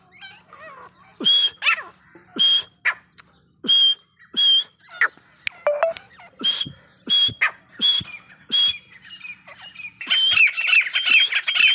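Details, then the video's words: Grey francolin (desi teetar) calling in a steady series of loud, sharp bursts, each with a bright whistled tone, about twice a second, before breaking into a busier, jumbled stretch of high, wavering notes. "Desi teetar ki awaz"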